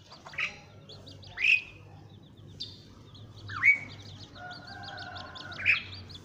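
Asian pied starling giving sharp, bright chirps about every two seconds, with a rising whistle and softer rapid notes between, over a low hum.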